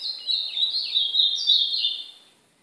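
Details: Brown ultramarine grosbeak singing for training, in a session that also includes the white-throated seedeater. One sustained, loud, run-together warble of high twittering notes fades out after about two seconds.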